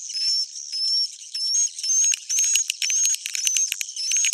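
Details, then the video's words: Edible-nest swiftlet roosting sound for attracting swiftlets: high whistled notes, some in pairs, repeat about twice per second over a rapid buzzy twittering chatter that grows denser toward the end. "Suara inap original"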